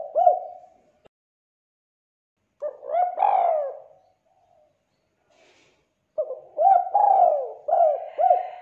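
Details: Lure recording of a tekukur, or turtle dove, meant to draw doves into calling: three bursts of cooing separated by silent gaps, each burst mixing short clipped notes and a longer rolling coo.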